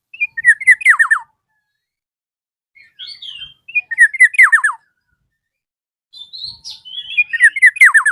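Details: Black-naped oriole calling to a rival, giving three loud bursts of rapid, falling, slurred notes about every three seconds, each mixed with higher whistled fragments and separated by silence.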